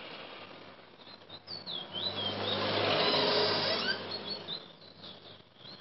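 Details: Chestnut-bellied seed finch, locally called bullfinch, singing at Chaguanas, Trinidad, in 2017. High, thin whistled notes slur up and down in short bursts, partly buried under a loud rushing noise that swells mid-recording, over a steady low hum.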